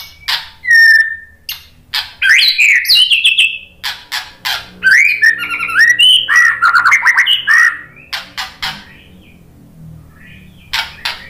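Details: White-rumped shama singing as a lure to make other shamas answer: rapid mix of sharp clicks, harsh notes and fluty whistled phrases, busy for eight seconds, then sparse clicks.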